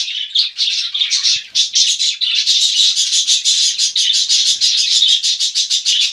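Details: A cockatiel, recorded while being bathed, gives a fast, continuous stream of chirps and scratchy high chatter.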